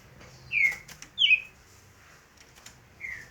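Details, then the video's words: Green-winged saltator singing in the roncador style: three loud, slurred whistled notes, each sliding downward, spaced about a second apart, with soft background hiss. "trinca ferro roncandor"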